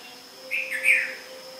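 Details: Red-vented Bulbul song from India: one brief phrase of two mellow, slurred notes, the second louder, rising then falling, against a quiet background with faint steady tones.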